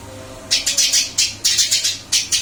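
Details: Brief moment from a Eurasian tree sparrow moved to a new cage: after a short silence, a fast series of about nine loud, high chirps in two quick runs.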